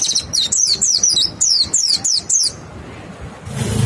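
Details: Caged white-eye singing as a lure to prompt other white-eyes to sing: a run of high, clear, wavering whistled notes repeated quickly for about two and a half seconds, then a quiet pause.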